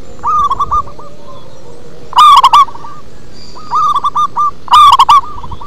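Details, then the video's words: Zebra dove of a local strain giving a bass-toned performance song: bursts of fast, trilling coo notes, loud phrases alternating with quieter echoing ones from another bird, against steady low noise. "Perkutut lokal manggung ngebas"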